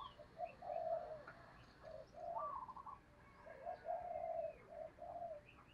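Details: Decoy spotted dove cooing to lure wild doves, heard faintly through steady background hiss, with several soft coo phrases of short and drawn-out notes and a few faint chirps higher up.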